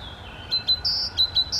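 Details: A great tit in Poland on 3 May 2022 gives high, thin two-note phrases, each a short note then a longer higher one, repeated quickly over faint background hiss.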